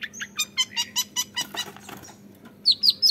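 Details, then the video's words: Young long-tailed shrike kept in a cage producing a fast, regular string of bright chirps, a brief noisy pause, then three loud sharp whistled notes at the end. "MENYAKSIKAN GAYA CENDET MUDA"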